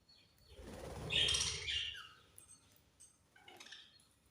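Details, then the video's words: Budgerigars at feeding time give a loud burst of raspy chirps mixed with a soft rushing, flutter-like noise, then fainter scattered chirps. "Budgies Sweet Chirping Sounds"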